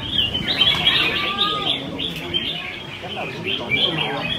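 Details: Red-whiskered bulbuls singing against one another on racks at a Sunday-morning bird competition, Cup C1 at Thiết Mộc Chân bird field, Quy Nhơn city, Vietnam, 21 June 2020; dense overlapping warbled and chattered phrases, with a low crowd murmur.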